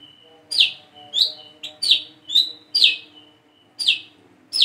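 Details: Plain-throated sunbird learning its song, recorded as a lure for other birds: loud high down-slurred notes, each led by a thin level whistle, given in an uneven run against a faint low electrical hum.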